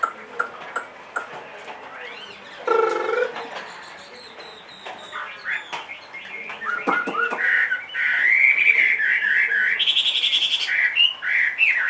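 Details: A two-and-a-half-year-old caged Chinese hwamei with a large build. Scattered clicks and knocks come first, then a short harsh burst, then loud, fast whistled phrases and rapid repeated notes that build toward the end.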